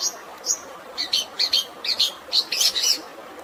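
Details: Long-tailed shrike fighting song over natural water sounds, intended for stressed birds: a rapid run of sharp, high chirping notes, roughly six or seven per second, set against a constant watery hiss.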